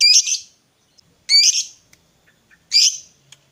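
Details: Fighter lovebird used as a singing lure for a quiet bird: three piercing, slightly buzzy squeaks about 1.4 seconds apart, with a few faint clicks between them.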